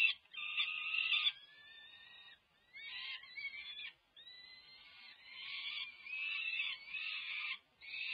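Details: Begging peregrine falcon chicks, over five weeks old, at feeding time in the UC Berkeley nest, May 18, 2023; quieter raspy screams in uneven bursts with thin wavering tones between, broken by short silences.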